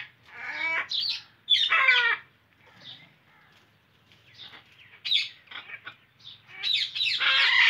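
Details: Harsh, grating screeches from an Indian ringneck parakeet, loud and rasping, in irregular bursts separated by quieter chattering notes, ending in a long raucous squawk.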